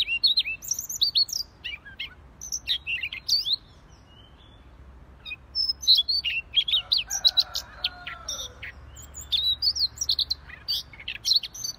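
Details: Lively Siberian rubythroat song, a dense run of rapid, varied high chirps, trills and squeaky notes in tumbling phrases with brief gaps between. A low hum and a soft lower warbling sound run in the background.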